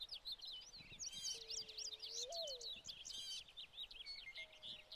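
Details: American goldfinches in summer plumage with some pine siskins feeding on sunflower hearts at a tray feeder in spring 2020. Dense, rapid high twittering and chirps, with short buzzy bursts and a low, steady whistled tone underneath.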